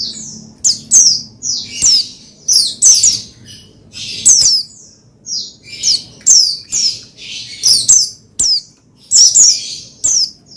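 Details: Oriental white-eye (pleci) call series meant to arouse another pleci into song: persistent, fast, high-pitched chirps and slurred notes repeated densely over ten seconds with only brief gaps.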